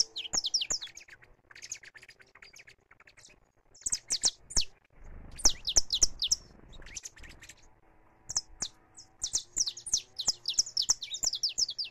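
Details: Saffron finch singing free, recorded live: bursts of high, sharp descending chirps and trills repeated in rapid runs, with brief pauses between phrases and a low background hum.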